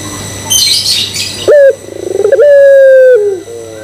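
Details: High chirps from other birds give way to a Barbary dove's provoking coo: a sharp high clipped note, a rapid buzzy pulsed stutter, then a long steady drawn-out coo ending in a short drop and a soft wavering tail.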